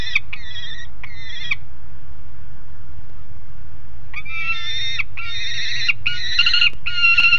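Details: Noisy juvenile peregrine falcon on a nest grate in Alphen aan de Rijn, Netherlands, 30 July 2016 around midday; three harsh, rasping harmonic calls, a pause, then a longer run of loud grating screams, over a steady low rumble of background noise.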